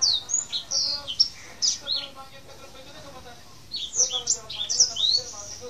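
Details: Tame male Black-throated canary sings in rolling style: runs of high, thin, downslurred notes, a pause of about a second and a half, then another rapid burst, with soft lower sounds beneath.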